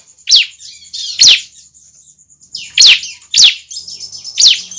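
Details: Juvenile bar-winged prinia calls, used to lure other prinias closer: five sharp, high notes sweeping steeply downward, spaced irregularly about once per second, over a faint steady high whine.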